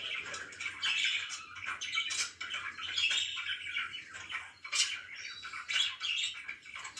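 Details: Morning chirping from pet budgerigars, a busy stream of raspy chirps, clicks and short squawks overlapping throughout, with a faint low hum underneath.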